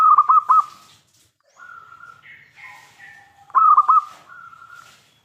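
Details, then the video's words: Local zebra dove singing hard to bring other doves into answering. It opens and closes with rapid runs of pulsed coos ending in a held note. Softer overlapping cooing and higher calls from other doves fill the middle. "PERKUTUT LOKAL GACOR suara besar - MENGUNDANG BUNYI SEMUA JENIS BURUNG PERKUTUT (PASTI NYAUT)"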